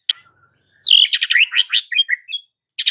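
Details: White-rumped shama song played in the afternoon to provoke a silent bird into singing: a brief note, then a dense burst of loud, rapid, varied notes with high buzzy elements and short slurred phrases, resuming near the end.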